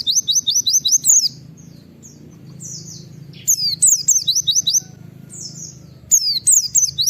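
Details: White-eye (pleci) giving the 'nembak wit wit' wild-type call meant to provoke other white-eyes to call: bursts of rapid high, thin downslurred notes, about six in quick succession, repeated after pauses, with faint low background hum.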